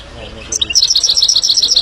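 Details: Himalayan goldfinch song: a few soft high notes, then a fast, even series of bright, tinkling twitters at a steady rapid pace to the end.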